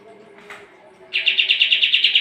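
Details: Sooty-headed bulbul, a lively singer kept for training competition birds: after a quiet start, a sudden fast series of loud, evenly repeated chip notes at steady pitch.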